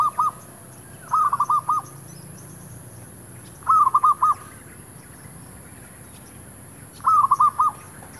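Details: Decoy zebra dove calling near a shop area to attract wild birds: repeated rolling phrases of four or five clipped cooing notes, roughly every three seconds, against a quiet background.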